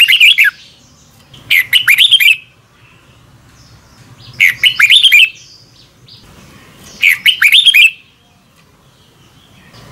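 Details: Morning double-twist song of a red-whiskered bulbul for coaching young birds: three brief bursts of twisting whistled notes and chirps, spaced about three seconds apart, separated by quiet low background hum.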